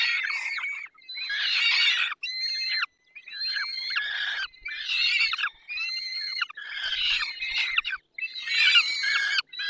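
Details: At a peregrine falcon feeding on 20 May 2021 at 10:22 in the Barycz Valley, six rasping wailed squawks come in long strained bursts, separated by brief silences.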